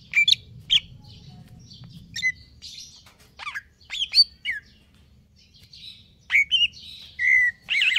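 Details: Greater green leafbird, in stable condition, sings in the 'konslet kejer nembak' manner: scattered loud chips and squeaky notes, then a dense run of rapid whistles and buzzy phrases near the end, over faint low hum.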